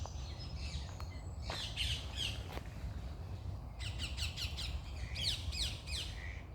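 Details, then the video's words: Morning birdsong with several birds: a sharp squawk and buzzy notes first, then bursts of rapid high chirping and trills toward the end, set against a constant low background rumble. "Start your day with birds singing"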